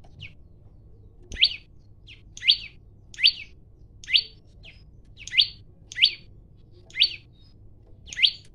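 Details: Singing male olive-backed tailorbird issuing a fighting challenge, phone recording; a steady run of loud, sharp, rising chirps about every three-quarters of a second, often introduced by a short softer note, with a single click and a soft low hum beneath.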